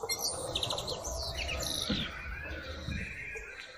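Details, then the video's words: Birds singing outdoors: quick high chirps and short trilled phrases over a steady background hiss, fading toward the end. "birds singing amazing sounds"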